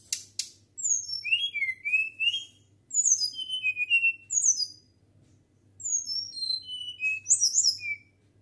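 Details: Natural whistled song of a flycatcher: a dry rattling burst at the start, then several tumbling phrases of sweet, high, sliding whistles that drop and rise again, with short gaps and a faint low hum.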